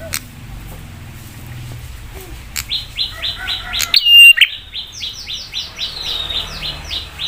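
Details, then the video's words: Prinia in Indonesia giving a fierce lure song meant to provoke other prinias into replying, a fast series of short rising buzzy notes repeated several times a second, briefly broken by a sharp whistled note, with faint background noise. "Prenjak suara PEDAS bikin prenjak lain cepat nyaut dan emosi"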